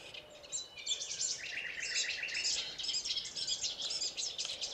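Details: Cetti's warbler, known in Sardinian as izaghe or rusinzolu de riu, sings a series of quickly repeated, sharp, high notes among a dense background of other high-pitched bird twittering.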